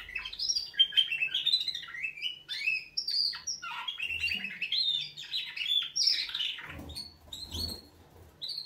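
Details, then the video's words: Canaries give their morning wake-up song, a continuous chattering warble of quick rising and falling notes, with faint low knocks in the background. "Kanarienvögel Weckgesang |||Canaries wake-up song"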